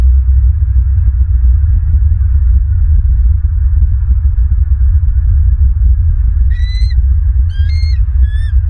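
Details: Wild bald eagles at a nest in Southwest Florida on a live nest camera, 14 January 2023 around 6:29 in the morning: a quick series of three thin, high, slightly rising squealing notes near the end, over a constant deep rumbling wind-like background.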